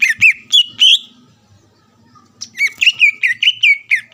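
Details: Lively greater green leafbird singing to provoke a rival; a few loud whistled notes, a pause of over a second, then a fast run of rising and falling whistles.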